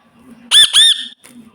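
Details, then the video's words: Parrot imitating a cat's meow, two loud nasal rising-falling wails in quick succession, each about a third of a second, followed by a faint low murmur in a quiet room. "See How a Parrot Makes The Sound Of Miyaauuu / म्याउँ म्याऊं कैसे बोले"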